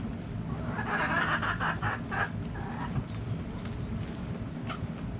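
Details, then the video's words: Backyard chickens calling: a loud burst of rapid, raspy, noisy squawks lasting just over a second, followed by a quieter trailing note and scattered faint clucks over low rumble. "Backyard Chickens Relaxing Sounds Noises Video Hens Clucking Roosters Crowing!"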